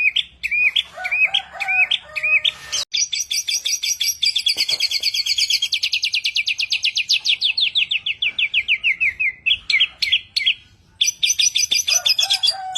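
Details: Mimicking bird shifts from twisting chirps to a long, rapid buzzy trill that slowly slides downward over several seconds, breaks off, then returns to high crisp notes.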